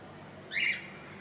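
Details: Inch-long baby budgie in its nest on the second day after hatching, 15 July 2018. One short scratchy high peep stands out against faint background hiss.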